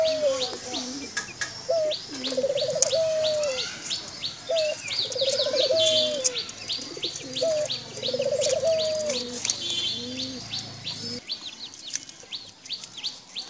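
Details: Caged foreign dove kept in Bangladesh; low trilled coos with a rolling, vibrating middle repeat every few seconds beneath a dense chorus of high, quick downslurred chirps from many small birds.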